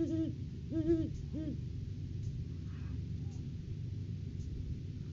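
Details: Great horned owl at the nest tree in courting season, a food gift delivered by the male: three short low hoots in the first second and a half, then only faint background noise.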